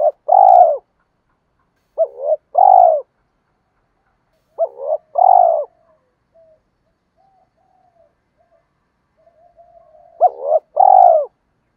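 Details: Spotted dove calling, played to provoke male doves in training, both sexes included: four paired phrases of a quick hooked note and a fuller rolling coo, irregularly spaced, soft faint coos between.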